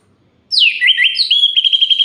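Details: Night song of an orange-headed thrush used to rile other males: after silence, a loud descending whistle bends into warbled notes, then a steady high trill.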